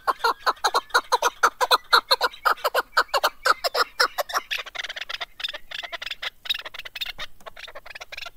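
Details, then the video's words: Chukar partridge singing in 2021: a fast run of harsh clucking notes about two per second, loud and rhythmic at first, then fading into a noisy, blurred chatter. "Голос Куропатка как поёт Горная Куропатка Кеклик"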